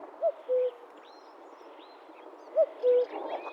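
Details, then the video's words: A Common Cuckoo recorded in the wild gives its falling two-note "cu-ckoo" twice, about two seconds apart, over soft background hiss and faint high calls of other birds. "Common Cuckoo Sound – Song & Bird Calls"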